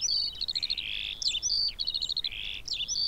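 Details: Eurasian skylark (Alauda arvensis) song mixing quick high trilled note strings with longer buzzy tones, continuous throughout over a soft background hiss.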